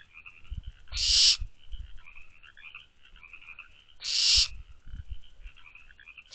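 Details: Barn owl owlets in their nest box on a May night in 2023 make harsh breathy screeches, two full bursts three seconds apart and a third beginning, over faint chirps and low thumps.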